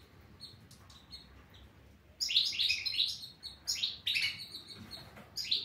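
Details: European goldfinch song: after a quiet opening, a lively run of tinkling, high twittered notes and quick rising and falling sweeps, delivered in dense bursts.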